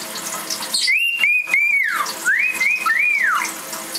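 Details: A cockatiel taking a shower gives clear, sliding whistles that rise and fall, over the steady hiss of running water.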